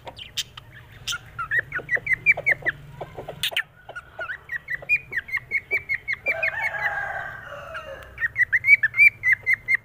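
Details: Pet cockatiel in a happy mood gives scattered chirps and sharp clicks, then settles into runs of short, rapid whistled notes repeated several times a second, with a brief warbling passage midway.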